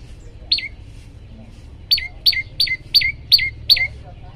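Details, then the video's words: Olive-backed tailorbird used to set other birds singing: one sharp falling note, a brief pause, then six quick loud falling notes in a steady run. "masteran prenjak lumut bikin semua burung ikut bunyi"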